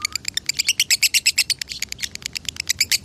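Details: Lovebird performing konslet song in Salatiga, scoring 8400 points: loud, slightly uneven run of piercing high chirps, some doubled and buzzy, in quick rattling succession.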